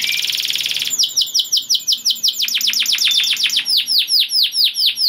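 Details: Gacor canary song to bring other canaries into breeding mood; opens with a rich fast trill, then long rhythmic series of loud down-slurred whistled notes repeated several times per second.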